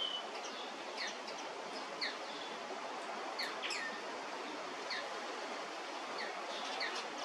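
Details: Common linnets (Linaria cannabina) give short, bright twittering chirps as calls, scattered and overlapping as if from several birds, over a steady rushing hiss of wind or leaves.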